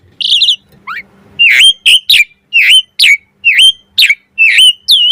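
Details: Asian pied starling song used as a lure and master recording to train starlings: loud, clear whistled notes, each a quick downward-then-rising slur, repeated about twice a second after a high buzzy opening phrase; little background sound.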